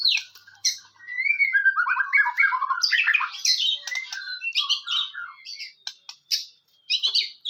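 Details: White-rumped shama singing to provoke other shamas: a quick medley of warbles, buzzy rattles and high squeaky notes, with sharp clicks and short breaks between bursts.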